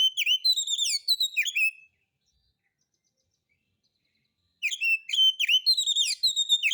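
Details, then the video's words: White-rumped shama lure song to provoke other birds to sing, in a rough style: two bursts of quick repeated whistled chirps, about three notes per second, separated by a long silence. "Pancingan Suara Kacer Santai; NGEPONG NGEPLAY SENDIRI MATERI KASARAN"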